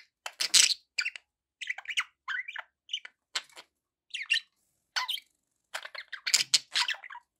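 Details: Budgies calling with squawky, warbling chirps in separate bursts roughly every half second, some loud and harsh, others softer and rising.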